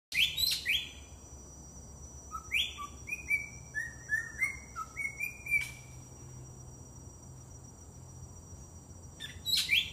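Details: Drongo calling in Dairy Farm Nature Park on 24 September 2014 at 10:54 am: sharp high chirps, then a run of clear, slurred whistles stepping up and down in pitch, with a steady high insect drone in the background.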